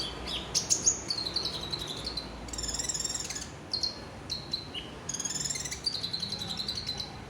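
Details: Caged Olive-backed sunbird singing fast high twittering phrases and sweet thin whistles, with dense rapid buzzy runs in two bursts.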